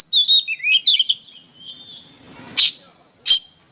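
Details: Kacer, the oriental magpie-robin, in energetic training song for songbirds: a run of varied warbled and whistled high notes, a long fading tone over faint rustling noise, then two separate sharp chip notes.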